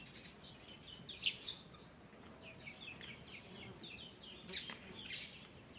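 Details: Birds singing in a forest in the morning, a busy mix of high, quick twittered phrases and chirps from more than one bird, set against low steady background noise.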